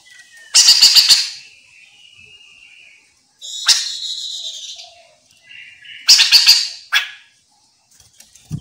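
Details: Lure song of a chestnut-capped laughingthrush, played to draw answers from other laughingthrushes: loud harsh chattering bursts roughly every three seconds, separated by softer wavering whistles and buzzy notes.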